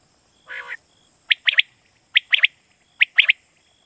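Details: Quail lure for night hunting from Pakistan: one hoarse rasp, then three quick phrases of sharp, bright high notes in threes, spaced under a second apart.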